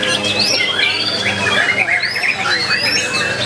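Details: White-rumped shama (murai batu) singing in the main class of a songbird contest on 9 February 2020: loud, clear rising and falling whistles, partly sliding, overlapping with the songs of many other contest birds, and a faint murmur of people.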